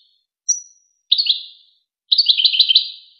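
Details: European goldfinch song from the well-known Wakr Touzgha tape, used to train young goldfinches and hybrids to sing. A short high note, then two bright twittering phrases, the second longer and rapidly trilled, each ending in a ringing echo tail.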